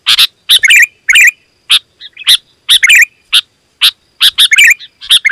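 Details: Sooty-headed bulbul, loud lure song: spaced harsh bursts and bubbly warbled phrases, plus a softer quick twitter midway, delivered in an uneven but lively rhythm.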